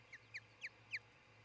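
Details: Osprey calling at its nest in Charlo, Montana, early morning of 26 June 2018: four clear, piercing whistled chirps, each sliding downward and growing slightly louder, spaced about a quarter second apart, over a low steady hum.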